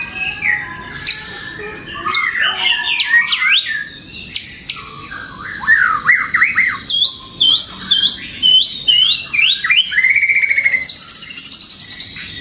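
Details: Melodious white-rumped shama song used as a lure and tutor recording for pet birds: a dense, continuous run of varied whistles, fast slurred up-and-down notes, short trills and sharp high phrases, with no pauses and no other clear sounds.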